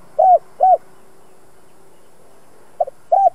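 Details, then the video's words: Two-ending 'giọng đồng' spotted dove, used for decoy training, gives two hollow arched coos, a long silence, then a soft double pip and one more coo. "Chim cu gáy hai hậu giọng hay kích bổi tập mồi hiệu quả nhất. Cu gáy mồi cây kích bổi"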